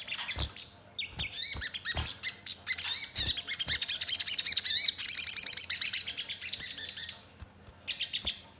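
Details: A cinereous tit, used as a lure to get untrained tits singing, sings a rapid, high, chattering song of sharp twittering notes with sparrow-like fill-ins, and scattered clicks and soft knocks before and after; Cinereous tit.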